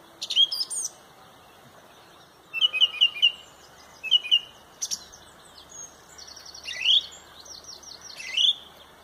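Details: At sunrise in Pontrobert a loud song thrush leads the dawn chorus, giving clear whistled notes in short repeated bursts of three or four, with slurred rising notes and high chirps from other birds around.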